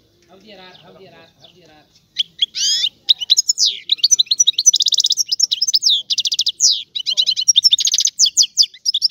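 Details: European goldfinch song opening with a faint low murmur, then bursting into rapid high twittering, metallic trills and sweeping chirps delivered in quick succession without a break.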